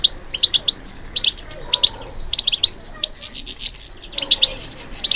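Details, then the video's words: European goldfinch singing, kept bird responding to stimulation: rapid bursts of bright, tinkling chirps and twitters high in pitch, grouped in short clusters with brief pauses between, over a faint background hiss. "How to encourage the goldfinch to respond to stimulation"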